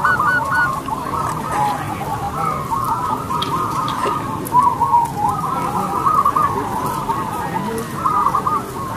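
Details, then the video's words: Loud-voiced local zebra dove, a lure bird singing long and clear: strings of rapid, rolling coo notes repeated back to back against a noisy background. "PERKUTUT CROSSING GACOR SUARA BESAR"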